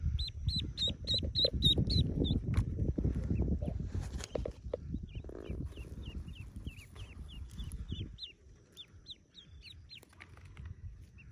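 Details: Hatching yellow ducklings, about forty in a cave nest; a rapid run of high, sharp peeps at first, then a long train of thinner descending cheeps, with low rumbling noise beneath.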